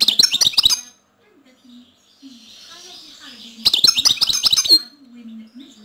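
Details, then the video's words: European goldfinch singing: two bursts of rapid, tinkling, high twittering notes, each about a second long, separated by a quieter pause with a soft low murmur in the background. "الحسون /// Goldfinch /// Jilguero"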